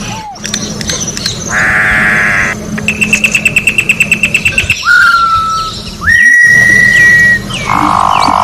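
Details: Orange-backed troupial singing in the wild: a harsh buzzy note, then a rapid train of short ticking notes, clear whistled notes held level or gliding up, and a closing harsh burst, over a steady low hum.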